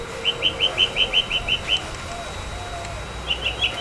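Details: Tropical mockingbird calling in the morning in Corozal, Belize: a steady series of about nine short, clipped chip notes, five or six per second, then a pause and three more, over a constant low hum.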